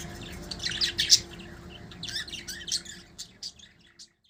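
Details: Fighting budgerigars kept as pets produce rapid, scratchy high chirps and squawks in a dense run of chatter that thins out and stops near the end, with a faint steady hum behind.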